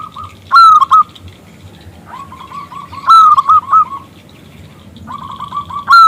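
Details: Local zebra dove with a big, clear voice, calling a male to answer: three loud, ringing bursts of clipped coos, about every two and a half seconds, linked by soft rapid chains of repeated notes.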